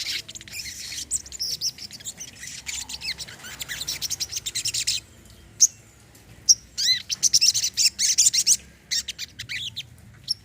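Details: Brown-throated sunbird, recorded as therapy to get silent birds singing again, gives fast high chirps and thin twitters in clusters, pauses near the middle, then resumes with sharp repeated tweets and short trills.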